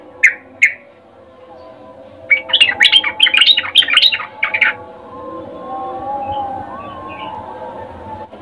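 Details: Female sooty-headed bulbul calling a male in the breeding season: two separate short notes, then a dense burst of rapid, bubbling, bright notes for about two seconds, followed by faint background noise.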